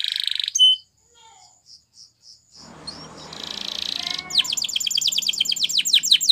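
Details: Spanish Timbrado canary training song: a buzzy burst, soft spaced pulses, a noisy rattling passage, then a fast run of repeated falling high notes.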